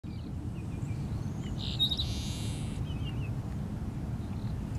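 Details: Seaside Sparrow singing from saltmarshes behind Wrightsville Beach, North Carolina, on April 8, 2015: a few short, high introductory notes, then a dry, buzzy hiss lasting about a second, over a steady low wind rumble and faint scattered chirps.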